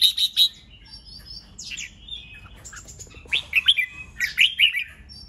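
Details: Rousing fighting song of a red-whiskered bulbul, played to spur kept birds into competition: sharp high chips, a swooping whistled slur, scattered faint notes, then a lively run of bright, bubbling warbles near the end.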